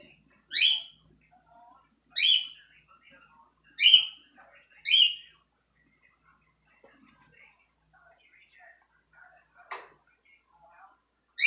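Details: A male bird sings to attract females in loud, sharp chirped notes repeated about every one to two seconds. The notes are followed by quieter scattered twitters and a brief click.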